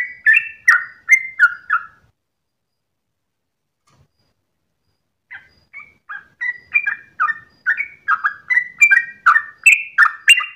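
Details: Dawn ropelan from a sooty-headed bulbul: a quick burst of five falling whistles, about three seconds of silence, then the rapid alternating whistled notes resume and build to the end.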